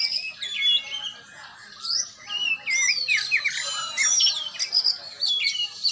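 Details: Oriental magpie-robin during training, delivering loud ringing whistles mixed with quick twisting trills and harsh chatter, phrases bunched in bursts with short pauses between.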